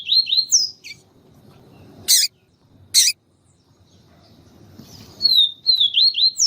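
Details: Yellow-bellied seedeater singing with a female calling to stimulate the male. High, thin whistled notes slide down, then rise again at the close. Loud broadband knocks and a low background rumble sound in between.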